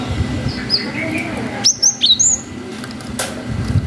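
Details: Cinereous tit in 'wucit' song used as a lure for young birds: a short run of four high, clear whistled notes, slurring up and down, after a quiet start with a faint low rumble beneath.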